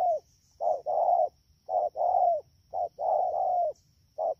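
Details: Spotted dove caught wild in the rainy season, Dak To, Vietnam, 3 October 2019. Close, loud cooing: a short note followed by a long rolling coo, some long notes running into a doubled phrase.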